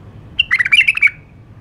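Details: White-eared bulbul, known as the Iraqi nightingale, giving one short bubbly phrase of about 0.7 seconds: a clear opening whistle, then quick warbled notes that dip and rise, over a quiet background.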